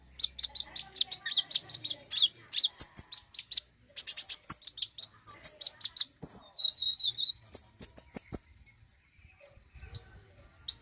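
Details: Common iora singing, played to encourage a bird to sing: long fast series of high chirped notes, a couple of drawn-out buzzy whistles midway, then scattered single notes.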